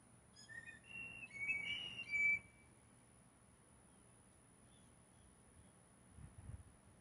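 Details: Competing blue jays courting one female: a brief cluster of high whistles, rising then sustained and ringing like a piccolo, lasting about two seconds before quiet returns with a low thump.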